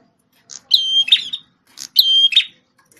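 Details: Red-headed prinia once used to tutor a magpie-robin: two quick phrases of a sharp high whistle followed by buzzy chattering notes, each introduced by a short chip.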